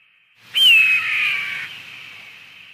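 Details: Eagle giving a single loud, high scream that starts sharply, then slides down and fades into a long, ringing tail, like a strong echo.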